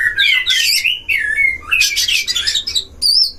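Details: Oriental magpie-robins dueling in a breeding cage, meant to rile other magpie-robins: a continuous torrent of descending whistled slurs and grating buzzy notes, ending with a pure high whistle.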